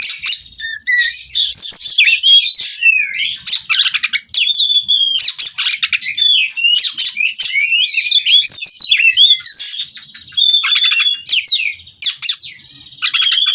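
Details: Captive White-rumped shama (kacer) of the Cirebon strain in long unbroken song: energetic chatter, clicks and rich twisting whistles tumble one after another for over ten seconds.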